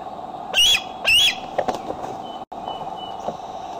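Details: Eaglet with a tender foot returning home to the nest in Decorah, recorded by a nest camera at 8:39 pm CDT on 4 July 2011; two loud, high, slurred chirping calls, then faint clicks and knocks over a steady low hum.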